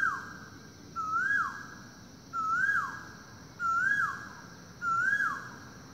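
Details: Asian koel calling in the morning, loud across a forest: four clear whistled notes, each rising then dropping, repeated about every 1.2 seconds over a steady high hiss.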